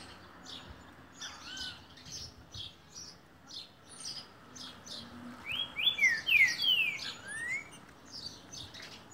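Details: A green-winged saltator gives a song of the type called "boi": a short burst of loud, rich downslurred whistles, over a steady background of thin, high chirps from other small birds.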